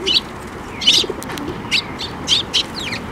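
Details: At a Tenmangu shrine bridge in May 2024, sparrows arriving for food give sharp, clipped chirps about every half second, while a low, wavering coo sounds faintly underneath.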